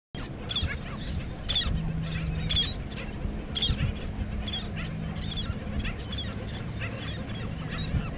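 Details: American oystercatcher (Haematopus palliatus), call.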